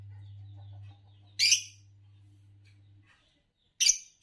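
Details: Green Fischer's lovebird uttering a rasping chirp, then after a pause two more quick harsh chirps close together. A low hum fades out early on.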